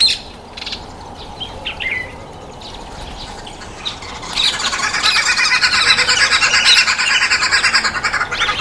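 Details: Noisy Red-billed (green) wood hoopoes at a feeding table burst into a loud, harsh cackling chorus of rapid, rattling notes that swells after a few quiet seconds of scattered chirps.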